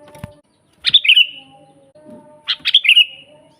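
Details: Sooty-headed bulbul, a lively natural-sounding bird used as a master recording for training other birds, gives two short bright phrases: a quick burst of sharp notes sliding into a descending whistled trill, with faint low background hum.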